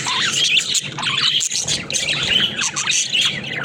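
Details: Caged budgie flock at play: rapid overlapping chirps, squawks and warbled twitters, bursts coming irregularly about once a second.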